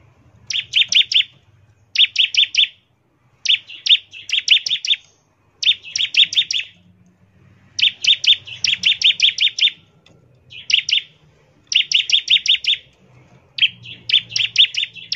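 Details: Bar-winged prinia in steady song, used as a lure to get prinias singing: short buzzy bursts of rapid notes repeated every second or two, with a low background rumble.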